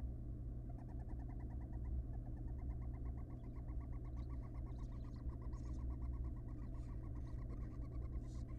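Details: Wild barn owl mother feeding her chicks just after casting large pellets: a long run of quick, even chittering notes, several per second, with breathy hissing bursts above them. A steady low electrical hum runs beneath throughout.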